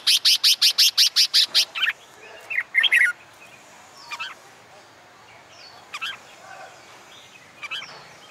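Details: Red-whiskered bulbul training for song contests on a summer day; a fast series of about eleven sharp, evenly spaced high notes opens, followed by a short warble and scattered distant chirps.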